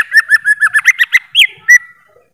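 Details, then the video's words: Greater green leafbird giving a quick sequence of mellow whistled notes on a near-steady pitch, about five per second, ending with two louder separated whistles. "Suara Burung Cucak ijo"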